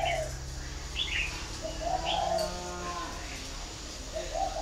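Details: Spotted dove, a northern Vietnamese bird kept at a breeding farm in Ba Vì, Hanoi, gives short low coos at the start, middle and end, mixed with scattered high twittering chirps from other birds.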